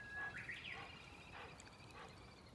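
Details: Domestic duck giving a few short, harsh harmonic quacks spaced roughly half a second apart, with a thin steady whistled tone at the start and a quiet outdoor background.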